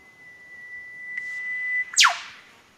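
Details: Eastern Whipbird from Australian Acoustic Observatory recordings: a long, steady, pure whistle held for nearly two seconds, then a sharp whip-crack sweeping steeply downward. No other sounds.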